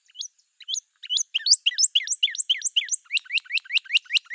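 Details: Northern cardinal delivering sharp, hooked, high whistles that start sparse and quicken into a steady run of about four per second.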